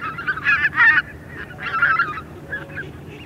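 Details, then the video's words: Small flock of greater white-fronted geese in flight: two loud bursts of overlapping squealing, laughing honks, each lasting about half a second to a second, then a few softer calls. "White-Fronted Goose. MCU Small Group Of Geese Calling In Flight"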